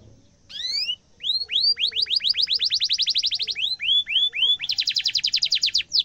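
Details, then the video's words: Singing canary, a sound for tutoring young canaries: a brief buzzy descending note, then a long rapid series of rising whistled notes, a few slower sweeps and a dense high trill to the end. "kenari gacor cuit cuit ngerol tajam suara kesukaan semua kenari efektif buat masteran kenari muda"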